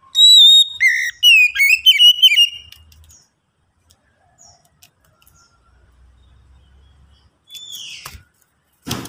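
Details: Lure song of an Oriental magpie-robin, meant to prompt others to sing: loud clear whistles sliding up and down open a rich warbling phrase. Near-silence follows, then a short call and a knock near the end.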